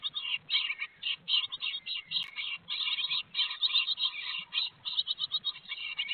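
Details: Great tit chicks in a nest box being fed by the parents on 18 May 2022 in Théding, France, giving dense, high, scratchy chirping in rapid bursts, several calls per second.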